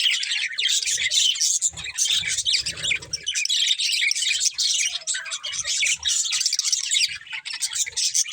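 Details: Budgerigar breeding pair chirping: dense, continuous high warbling chatter with squawky notes, occasional low thumps.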